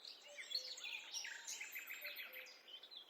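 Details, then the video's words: Busy, blended forest bird chatter with many overlapping high notes and a soft low whistle sliding by, set against steady background hiss. "A peaceful walk in the forest accompanied by the sound of birds"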